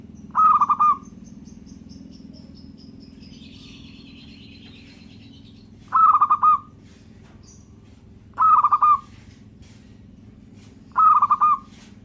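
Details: Local zebra dove singing repeatedly: four short, stuttering cooing phrases of pulsed notes, delivered roughly every two to three seconds, over a constant low-pitched background hum.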